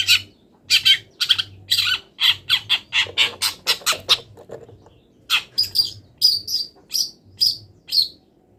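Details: Long-tailed shrike, still in moult, in a training song stuffed with imitations of wild birds: rapid runs of harsh, scratchy squawks, then a brief lull, then a series of thinner whistled chirps at an even pace.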